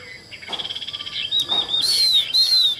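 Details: Caged, partly tamed Chinese hwamei singing: faint notes at first, then clear high whistled phrases that rise and fall, with a short soft twittering run before them.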